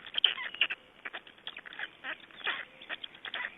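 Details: Black storks at feeding time in Estonia, May 2012: quick series of hoarse, nasal, quacking notes, uneven and overlapping, filling the short recording.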